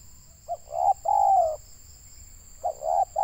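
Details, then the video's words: Local Indonesian tekukur, or spotted dove, used for bird trapping: a soft hoot, a double coo and a long falling note, then the phrase starting again, with a constant high electronic tone. "Mikat burung tekukur suara boleh lah"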